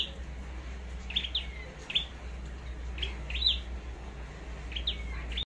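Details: Red-headed flowerpecker (chim sâu đầu đỏ) in Long Thành, Vietnam, trained for singing duels and decoy use: scattered sharp high chips, a few in quick doubles, over a loud steady low-pitched hum.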